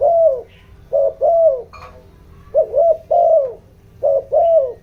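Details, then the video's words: Decoy spotted dove's bronze-toned coo for luring wild doves: four low paired coos, short then long and slightly falling, delivered about once a second, with a faint high chirp between them. "tiếng chim cu gáy kích bổi, tiếng chim cu gáy giọng đồng ,tiếng chim cu gáy hợp bổi"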